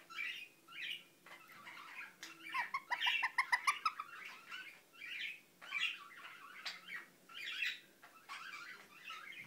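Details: Indian ringneck parakeet kept as a pet, mumbling in soft, rolling phrases of chatter, including a rapid, rhythmic string of clicking notes in the middle and low murmurs between.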